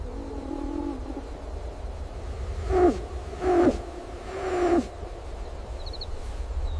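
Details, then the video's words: An owl hoots softly in a forest, giving three soft, low hoots, each dropping slightly at the end and spaced about a second apart, over a steady low rumble. "Owl hooting softly"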